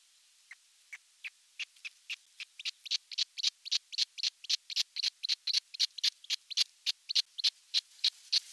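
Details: Lone osprey chick in its nest in Satakunta, Western Finland, on June 29, 2022; insistent high chirps that start soft and grow louder and faster, nearly four per second for eight seconds.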